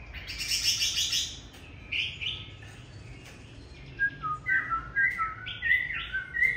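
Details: Chinese hwamei singing on a bitterly cold day: a burst of high slurred phrases, then a run of short clear whistled notes repeating about once a second, ending on rising and falling slurs.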